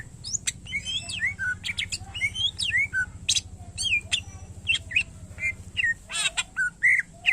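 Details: Greater green leafbird (cucak ijo) singing a dense run of slurred, downward-sweeping whistles and sharp chips over a noticeable low rumbling hum.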